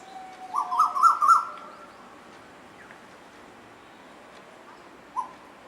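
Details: Pair of Asian koels playing with each other: a quick run of four or five short rising whistled notes, then silence and one lone note a few seconds later.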